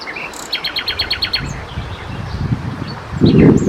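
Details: Common nightingale singing at night. A short whistled note opens into a fast series of about eight identical repeated notes, then brief scattered notes. Low rumbling noise, like wind or handling, grows loud toward the end.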